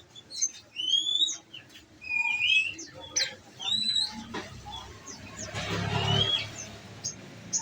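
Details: Captive olive-backed sunbird on a nectar diet in shooting-style song: a run of high rising and falling whistled slurs and sharp chips, followed by a human voice and rustling noise near the end.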